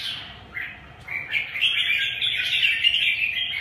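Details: Red-whiskered bulbul singing: a sustained jumble of bright chirps and warbled notes that swells after the first second and runs on unbroken, over a steady low hum.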